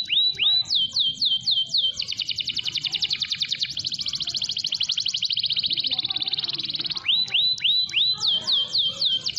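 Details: Vigorous canary song meant to prompt other canaries to sing: a few looping swoops, then a long rapid buzzy trill lasting several seconds, then swooping whistles again.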